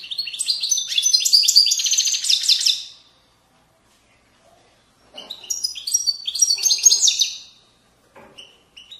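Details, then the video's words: European goldfinch singing Moroccan widaniya-style song, valley banks of Morocco, 2020: two bursts of fast, bright tinkling twitters and trills, each about two to three seconds long, separated by a pause, with a few faint notes at the end. "تغريد ويداني أصيل من ضفاف الوديان المغربية goldfinch hason chant widaniya chardonner 2020"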